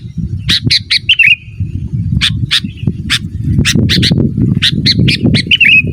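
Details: Sooty-headed bulbul singing energetically, used to answer rivals and to teach caged birds: rapid harsh chattering notes in clusters with short whistled slurs, over a steady low rumbling noise throughout.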